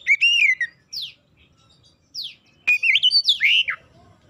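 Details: Oriental magpie-robin singing as a lure to set other magpie-robins singing: a sweet slurred whistle, a few sharp downward-swept notes, then a rich run of warbled whistles and trills.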